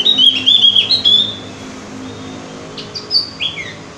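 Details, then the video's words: Opior jawa, or Javan grey-throated white-eye, singing on a lure track for prompting birds: a lively run of high, slurred chirps for over a second, a pause, then scattered thin upward and downward notes. "pancingan burung opior jawa atau cucak gentong agar rajin bunyi"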